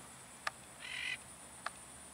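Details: Single military macaw flying free and far off: one raspy, layered squawk of about a third of a second, framed by two sharp clicks, over a steady high hiss.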